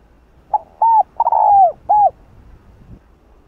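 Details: Single cooing phrase from a spotted dove in the hạp bổi style: a brief soft note, a hollow coo, a long slurred falling coo and a final short coo, over quiet background.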